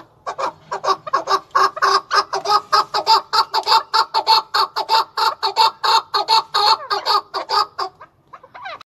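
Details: A male chukar partridge (keklik) sings in Tajikistan in 2020: a steady, repeated string of hoarse clucking chuk notes, about three per second, stopping abruptly near the end.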